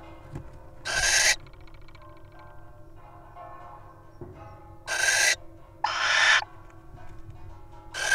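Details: Little owls in a wild nest box: sharp, noisy hissing bursts under half a second long, separated by quiet spells, with a faint low knock in between.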